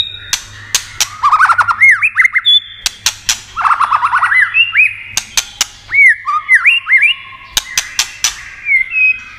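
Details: Singing white-rumped shama, played to stimulate other shamas. Varied bursts of rapid downslurred and arching whistled notes are scattered with frequent loud snapping clicks, some in pairs, over several seconds.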